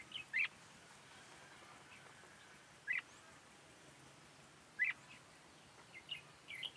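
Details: Red-whiskered bulbul at a trapping site with a decoy bird, uttering brief sharp chirped notes roughly every two seconds against a quiet background.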